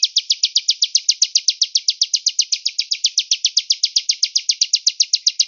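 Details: Velvet-fronted nuthatch singing the cigun gereja style, recorded as a distant voice for training: a steady stream of rapid, bright, high-pitched chip notes repeated about four times a second without a break.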